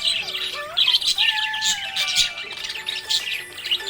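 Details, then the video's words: Budgies chirping happily, with bright, scratchy chatter and quick squeaks overlapping continuously, short rising and falling whistled notes, and faint music droning underneath. "Happy budgie chirping sound"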